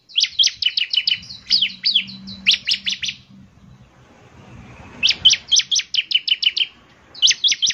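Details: Bar-winged prinia in lively song: dense bursts of high, sharp downslurred chirps, a quiet stretch with soft low rumble, then further chirp bursts.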